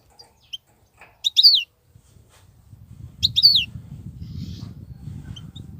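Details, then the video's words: Wild European goldfinch, a fine wild-caught singer with a 'batbatat' song style and nonstop singing: two bright, twittering bursts of quick high notes about two seconds apart, with scattered faint chirps and a low rumbling background rising toward the end. "صوت الحسون البرى:مقنين خلوى ممتاز..بتبتات.. غناء لاينقطع"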